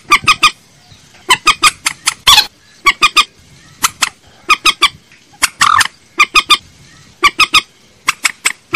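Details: Trích ré, the common moorhen, calling on a lure track. Sharp, hard clucks come in triplets and quadruplets throughout, with two longer rough squawks interrupting the series.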